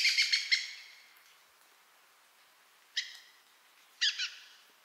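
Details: Dusky thrush calling on 10 November 2007 in Omachi, Nagano Prefecture, Japan: a burst of harsh, rasping chattering notes, then two shorter scratchy calls about a second apart after a pause, in otherwise quiet surroundings.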